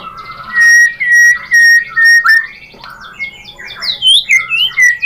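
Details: White-rumped shama song used as a lure: loud, clear whistled phrases, some rising and some falling, broken by brief gaps and followed by a quick run of varied high twittering notes.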